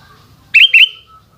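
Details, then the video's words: Single phrase from a sooty-headed bulbul singing in the afternoon: two loud, liquid, warbled whistles rising then sliding level, clean and close, with near silence around. "Burung kutilang oceehan disore hari"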